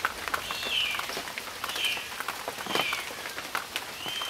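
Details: An Oriental honey buzzard gives high, thin whistled calls about once a second through steady rain.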